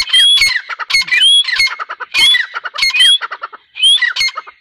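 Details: Grey francolin calling loudly: harsh, squawky, multi-note phrases with shrill whistled parts, repeated roughly once a second in short bursts separated by brief pauses.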